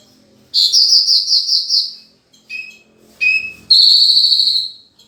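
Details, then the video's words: Lively Horsfield's bush lark song rich in fill-in phrases: a pulsing high trill, two short lower notes, then a bright sustained trill, with faint low background hum. "Burung Branjangan Gacor full isian"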